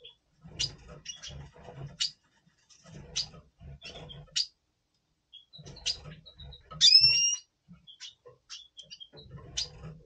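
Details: Red siskin, double pastel color form, in breeding mood before breeding, November 2023: sparse, sharp high chirps in short bursts with pauses, plus one clear rising two-part whistle near the middle over a faint low hum.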